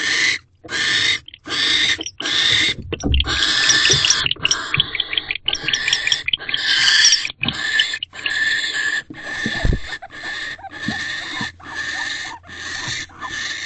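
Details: An owl pair in a nest box on 15 December 2023 at 7:47 pm, mating again as the male returns amid increasingly frequent matings, gives harsh, hissing screeches in rapid bursts, roughly one or two a second, with brief pauses.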